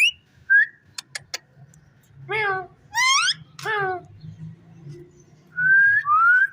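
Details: Rose-ringed parakeet producing quick clicks followed by three harsh, voice-like syllables with strong overtones, then two short bright whistles, against a quiet low hum.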